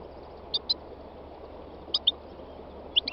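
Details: A 3-year-old North African goldfinch (Carduelis carduelis) singing three quick pairs of bright, high chirps about a second apart on a spring day in Tunisia's north-west mountains; wild greenfinch, serin and nightingale may sing nearby; faint hiss.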